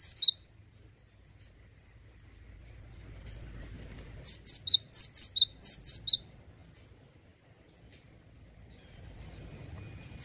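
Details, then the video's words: Male cinereous tit (gelatik batu) singing in the ngeplonk style: a short high-low burst at the start, a run of about eight bright whistled notes in the middle, and a single note at the end, with quiet between. "GELATIK BATU JANTAN LAGI ONFIRE...GACOR NGEPLONK"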